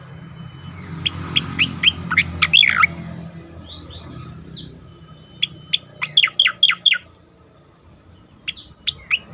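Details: Loud, continuous ngerol and nembak song of an Asian pied starling (cucak koreng): clusters of sharp, clipped notes and gliding whistles in repeated bursts over a low background hum.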